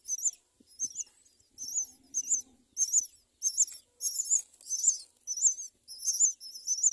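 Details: Myna nest holding four chicks: thin, high-pitched chirps with wavy inflection repeat in quick bursts roughly every second and a half second, with a faint low rustle early on.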